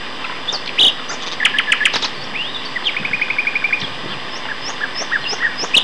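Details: Two male common nightingales sing in May 2012 at Castor Hanglands near Peterborough, England; scattered sharp notes and a rising slur lead into a fast, steady series of about ten repeated chips, then soft upslurred whistles.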